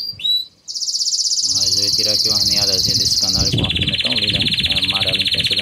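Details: Intense yellow Belgian canary pouring out a high rapid trill that drops midway to a lower rolled tour, with a man talking continuously over the song.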